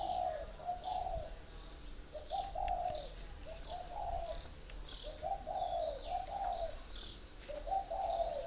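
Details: Spotted dove of northern Vietnam, kept caged as a decoy for three years, cooing in soft, hollow multi-note phrases about every two seconds, while brief high chirps and a steady thin electronic-like whine continue above.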